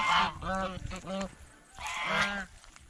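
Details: Feeding geese at a fish pond, eating bread and fresh vegetables, utter a few short nasal honks in two clusters separated by a quieter second.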